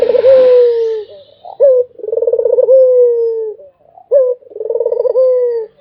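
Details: Barbary dove cooing without pause. Low rolling phrases, each a brief clipped note, a throbbing pulsed coo and a drawn-out falling tone, repeat roughly every two and a half seconds. A soft hiss is heard at the start.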